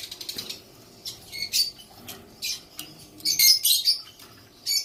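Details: A young female white cockatoo utters rapid rasping, scratchy squawks in short bursts, with rustling in between and a louder grating run of calls toward the end.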